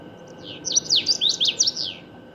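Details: A common waxbill sings a brief, high, buzzy trill of repeated swooping zigzag notes, roughly six quick down-up strokes in about a second and a half, loud and clear over a soft constant hum.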